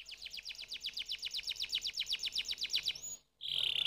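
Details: Canary song with a steady run of about four sharp, downward-sweeping notes per second, then a brief pause and a fast, buzzy high trill.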